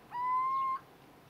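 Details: Little owl (Athene noctua) in vineyards at Trebujena, 20 February 2018, gives one clear, mellow, mid-pitched hoot of about two-thirds of a second, rising gently and ending abruptly against a quiet background.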